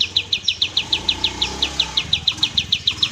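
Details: Oriental white-eye master song for cage-bird training, clear and long tembak style: sharp high notes repeated quickly, about four a second, faint low hum behind.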